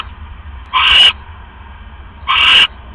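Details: Owl at its nest before dawn, 3:40 AM on October 5, 2015, as prey is brought in; two short, raspy, hissing shrieks about a second and a half apart.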